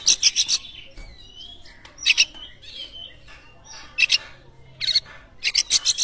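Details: Kacer (Oriental magpie-robin) song played to set other birds singing: short bursts of harsh, loud rasping notes spaced out over soft whistles, with a rapid volley at the end.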